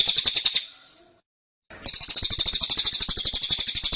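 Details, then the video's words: Cililin kept in a cage, singing the 'tembakan' style, dense and insistent: a high, rapid chattering trill stops briefly, then resumes as a steady stream of quick, sharp notes. "Tembakan Cililin Suara Rapat Dan Ngotot"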